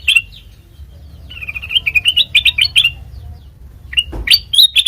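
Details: Sooty-headed bulbul singing, used to draw out and train other birds: scattered chirps, then an evenly paced string of bright notes, a brief knock, and a final quick burst of high chirping.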